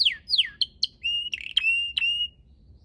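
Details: Red canary song recorded in a garden of purple azaleas: two falling slurred notes, short chips, then drawn-out level whistles with sharp clicks.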